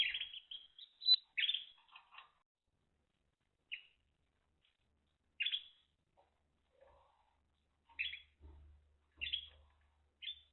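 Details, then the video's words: Timbrado canary song: a run of rolled, trilled notes at the start, then scattered short high chirps and brief trills spaced one to two seconds apart, with faint low thumps in the background. "Timbrados Canary"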